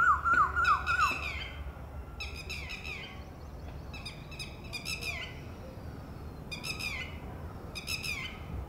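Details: Female red-wattled lapwing, distant from her ground nest where a chick has just hatched, calling in warning against possible predators; bright, harsh notes grouped in threes and fours, repeated every one to two seconds, opened by a brief chattering from another bird.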